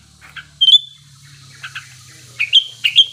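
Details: Sooty-headed bulbul in breeding condition used as a lure; a few chirps and clear whistled notes against a steady hiss.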